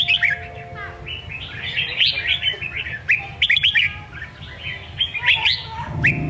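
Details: Songkon-style song of a red-whiskered bulbul, a continuous run of rich, chattering, up-and-down whistled notes with sharp rising flicks near the end, over a faint low background drone.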